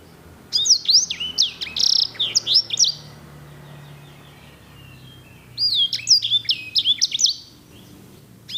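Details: Edel/Herda sanger canary, a singer canary noted for rich, elegant rolls and kept as a tutor voice for other canaries. Two phrases of rapid, sharp, down-swooping whistles with a near-silent gap of about two seconds between them.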